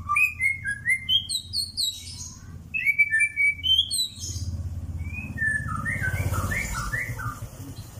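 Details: White-rumped shama (murai batu, Pastol type) in mental training: clear whistled notes in quick descending runs, then short buzzy chirps. A pause falls midway, and a low rumble runs underneath.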